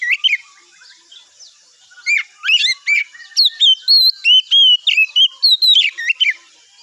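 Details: Oriental magpie-robin in morning song to lure rivals to reply: quiet opening notes, then an energetic stream of loud, clear whistles, upslurred and downslurred, delivered in quick succession with scratchy chips between.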